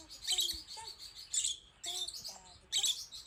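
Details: Female rosy-faced lovebird, kept as a pet and agitated by her on-screen image, utters three harsh, rasping shrieks about a second apart, with faint whistled notes between them.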